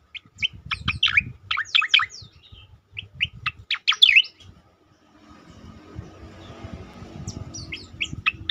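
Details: Striated grassbird (cicakoreng) singing in the 'tembakan' style, used to train and provoke other songbirds: rapid bursts of sharp, high chirps and short whistled notes, a pause, then a fresh run of chirps over faint low rumble.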